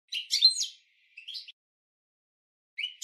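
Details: European goldfinch training song for cage birds, heard as a short twittering phrase with a bright whistled note, then a softer buzzy chirp and a final rising chirp after a pause.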